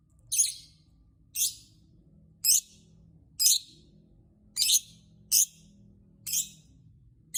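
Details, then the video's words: Lovebird chirping to provoke other lovebirds into singing: short, shrill, high-pitched chirp bursts repeated roughly once a second, eight in all, with a faint low hum underneath. "Burung Lovebird Berkicau Pancing lovebird lain"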